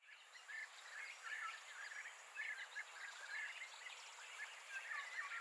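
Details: European bee-eaters in Greece in 2021 give soft, rolling, liquid 'prruip' notes, repeated in loose overlapping bursts as if several birds call together, over a faint steady hiss.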